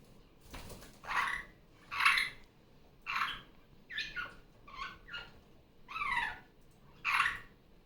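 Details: Female superb parrot kept indoors as a pet, loud again during Sunday morning playtime after her nesting period. Harsh, grating squawks repeat about once per second, some split into quick double notes, with a steady, insistent rhythm.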